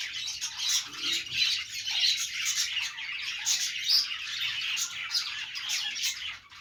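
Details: Playing budgies chattering nonstop in a thick wash of high chirps and squawky notes, with a few sharper whistled tweets rising above the steady twittering.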